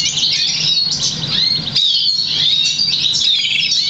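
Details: Crested, half-variegated Black Siskin x Russian Canary hybrid bred in August 2009, trained on European Goldfinch notes; brisk high twittering with quick slurred whistles and short trills, constant through the clip.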